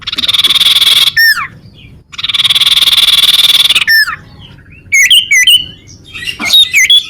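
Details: Sunbird song used to lure birds and prompt rivals to sing: a long, even, buzzy trill lasting about a second, a sharp looping down-slurred note, a second longer trill, then quick high chirps and twittering notes.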